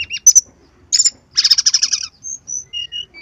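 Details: Lure recording of a brown-chested jungle flycatcher: a few sharp chirps, a dense rattling trill of about ten quick notes, then soft thin level whistles spaced apart.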